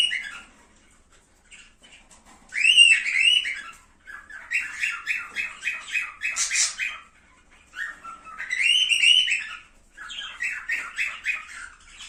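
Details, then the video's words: Song of cockatiels meant to encourage breeding: loud arched, ringing whistles alternate with fast rattling runs of short chirps, several times a second, in an indoor room. "أسرع طريقة لتحفيز طيور الكوكتيل على التزاوج وإنتاج غزير"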